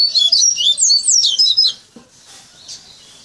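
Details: Tutored captive coleiro (Double-collared Seedeater) delivering its finished fluted coleiro baiano song, taught since chickhood; a dense burst of high, warbling whistled notes for under two seconds, then quiet room noise.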